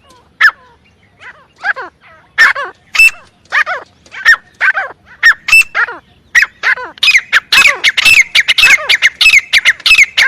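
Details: Grey francolin giving loud, harsh calls of downward-sliding notes, spaced at first and then crowding into a rapid, overlapping chatter toward the end.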